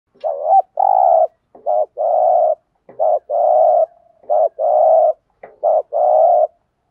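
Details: Spotted dove giving the 'thúc gù' coo used to lure wild doves: a quick double hooting note followed by a long, even, purring coo, repeated about five times in close succession against a silent background.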